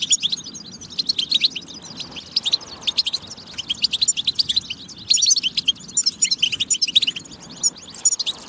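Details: European goldfinch in full song, used to encourage other goldfinches to sing: a long, rambling twitter of sharp chirps, thin whistles and buzzy trills, growing louder in the second half.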